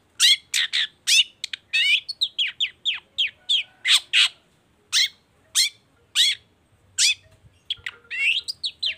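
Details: Chatty long-tailed shrike (cendet baham) singing to draw other shrikes into song: a busy, varied stream of harsh chips, squeaky slurred whistles and rasping notes, continuing almost without pause.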